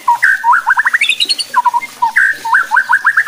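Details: White-rumped shama song meant to provoke other shamas: short bursts of clear whistles followed by quick repeated chattering notes, two similar phrases a second apart, with faint higher twitters between.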